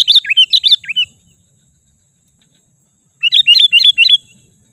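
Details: Sooty-headed bulbul lure sound for provoking wild bulbuls: a burst of five or six quick, clear whistled notes, about two seconds of silence, then four more looping whistles in rapid succession.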